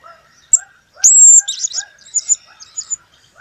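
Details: ['Blue-crowned hanging parrot in a 2015 recording: a single high note, then a long, piercing, steady whistle of about half a second. This breaks into buzzy, squeaky chips, with lower bird chirps heard beneath.']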